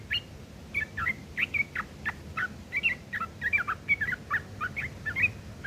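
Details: Sooty-headed bulbul in rough chattering mode, material for training long-tailed shrikes; a continuous series of sharp, down-slurred and twanging notes, roughly three per second, with a low steady hum.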